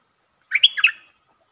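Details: Short phrase from a streak-eared bulbul, part of a 13 February 2023 recording of long and doubled songs: one quick rippling run of four bubbly, slightly slurred notes, clean and unaccompanied.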